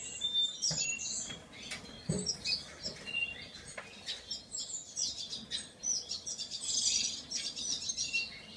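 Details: Painted bunting: scattered high, thin chirps and brief twittering phrases come in irregular bursts, mixed with soft clicks and light rustling, over a quiet background.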